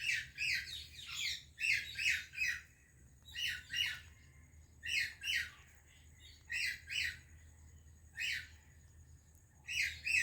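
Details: Indian parrot greeting a Pakistani parrot, likely indoors: a steady run of rasping, broadband squawks, mostly in twos and threes, about fifteen in ten seconds, with short pauses between clusters.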